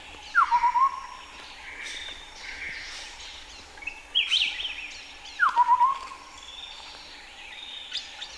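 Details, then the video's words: A chestnut-headed partridge in highland forest at Bokor National Park, Cambodia, gives mellow whistled phrases with a quick downward slur and short trill about every five seconds. A higher chattering burst comes between them, with other birds faint behind. "Chestnut-headed Pratride"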